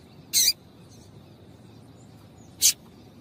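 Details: Two brief, piercing high chips from a female double-collared seedeater, used to get males singing, separated by a two-second pause over soft background hiss.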